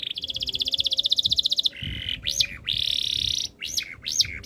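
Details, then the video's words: Canary holding a fast, steady rattling tour for over a second, then a low buzz, a dry rolling trill and several arching, swooping whistled notes. "KICAUAN BURUNG KENARI BIKIN KENARI GACOR DOR"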